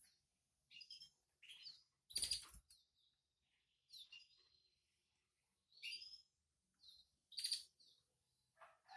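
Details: Baby canary being fed by its mother: bursts of high-pitched, sharp begging chirps in quick clusters separated by short pauses, broken by loud scratchy rustling noises during feeding.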